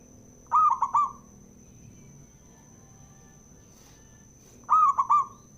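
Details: Male zebra dove song played to rouse other doves: two identical three-note cooing phrases about four seconds apart, each mellow and slightly rising, over low background rumble and a constant high whine.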